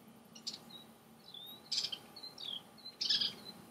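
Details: Western kingbirds harassing a great horned owl near a water tank in July 2015 give sharp, high, sputtering chatters in three bursts about a second apart, with thin squeaky notes between, over faint low background noise.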